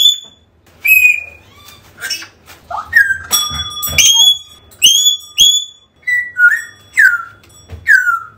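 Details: African grey parrot calls played to recover a lost bird: a rapid varied series of whistles, including upswept notes, level tones, short chirps and falling slurs, with a few soft clicks between.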